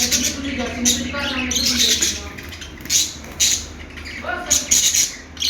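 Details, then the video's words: Budgerigar chirping: a chattering warble mixing buzzy high chirps with lower, throaty, almost speech-like gurgled phrases, broken by several sharp louder squeaks near the end. "budgie chirping sounds"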